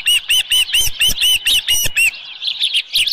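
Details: Osprey at the nest, Dunrovin Ranch, 6:52 AM, 24 July 2018, with a headless fish: nine loud, evenly spaced whistled chirps, each rising then falling, about four per second, followed by quieter twittering.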